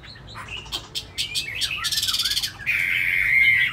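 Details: Caged tamed Chinese hwamei giving a mixed burst: scattered chips, a rapid rattling trill, then a long sustained whistled note near the end.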